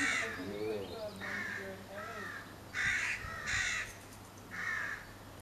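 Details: Crow recorded in May 2022, giving harsh, rasping caws in a steady series of about six calls roughly a second apart. Some are doubled. Softer murmuring tones sit under the opening, and a constant low hum runs throughout.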